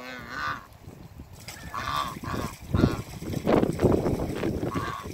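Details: African goose couple greeted on a farm, giving three spaced, ringing honks with clear harmonic stacks, each under half a second, separated by rustling, footsteps and low background noise.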